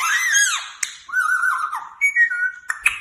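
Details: Pet parrot making whistled and voice-like sounds indoors: sliding, wavering tones, then a steady held whistle and short pitch-jumping notes, with a couple of sharp clicks.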